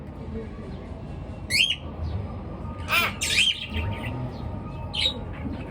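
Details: Bird chirping in the morning: a few sharp rising chirps and one harsh buzzy squawk, separated by short quiet gaps over a low hum.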